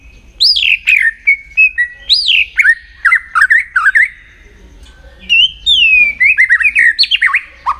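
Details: White-rumped shama in contest song training: loud downslurred whistles and chattering phrases in bursts, a short quiet gap, then renewed quick varied whistling.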